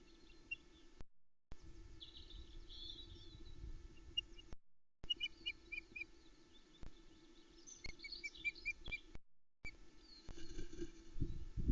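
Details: Female osprey on the Loch Arkaig nest in Scotland, 27 May 2020, captured by a nest camera as she keeps calling to her mate and refuses to let him take a turn on the eggs. Bursts of short, sharp, high chirps come in quick runs, over steady wind rumble, with faint warbling from other birds.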